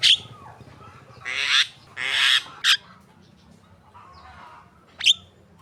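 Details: Javan myna lure song for contest birds, sparse in this stretch. Harsh, noisy rasps and sharp squawks come singly with quiet gaps, plus one soft muffled note in between.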